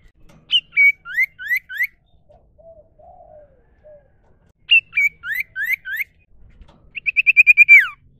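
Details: A common iora recorded in the wild and used as a lure sings bright rising whistled notes in quick groups of four or five, ending with a fast trill of even notes. A faint low hum sounds between phrases.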